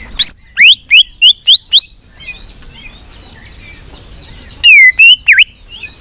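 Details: White-rumped shama song used to excite shamas: a series of six loud, upslurred whistles in quick rhythm, a soft murmuring pause, then three more bright, ringing whistled notes.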